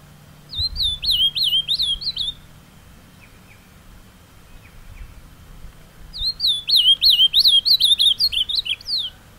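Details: Carapuça song of a kept ultramarine grosbeak brought to a beautiful outdoor place: two warbled phrases, each a rapid chain of swooping whistled notes lasting under two seconds, separated by roughly three and a half seconds of quiet, with a faint low hum behind.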